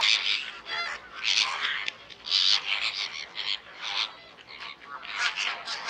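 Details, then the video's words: Greater Flamingos (Phoenicopterus roseus) give a continuous chorus of nasal, goose-like honks and grunts from many birds, overlapping in bursts about once a second. "Flamingo (Phoenicopterus roseus) Flamingo"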